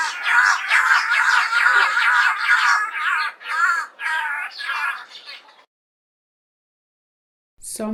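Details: Black-collared Barbet, an Eastern Cape (South Africa) garden bird, calling in a fast, rolling series of mid-pitched hollow notes, about two per second, for five seconds, then silence and a brief voice.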